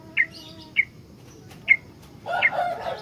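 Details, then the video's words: Three crisp, evenly spaced chirps from a sooty-headed bulbul used to lure and train other bulbuls, followed by a rough, noisy rustling burst mixed with more chirps. "BURUNG KUTILANG SUPER GACOR ISIAN, COCOK BUAT PANCINGAN/MASTERAN KUTILANG LAIN"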